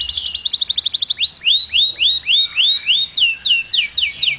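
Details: Canary singing a rapid run of bright, clipped notes, then slower repeated upward-swooping whistles and a set of falling slurred phrases, all high and clear.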